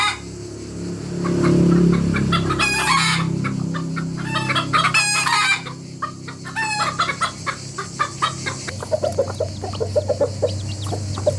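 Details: Several loud, harmonic rooster crows rise from a rooster family making noise together, each about a second long, over a low hum. Dense, quick clucking follows in the final seconds.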